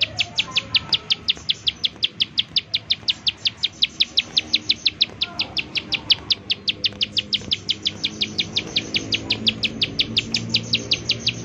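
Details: Bar-winged prinia in 'nembak' calling mode, used as a lure to set other prinias off: an unbroken volley of high, clipped, down-stroked chips repeated fast and evenly for over ten seconds.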